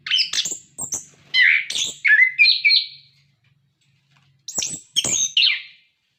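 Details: Captive-training song of an orange-headed thrush: rapid mix of high chirps, rising and falling whistles and scratchy notes in two bursts separated by a pause of over a second, with a faint low hum behind.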